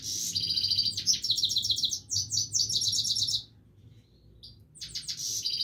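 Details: Continuous song of a Himalayan goldfinch, a long run of quick tinkling, buzzy chirps lasting over three seconds, a brief pause, then the twittering resumes, with a soft low hum behind.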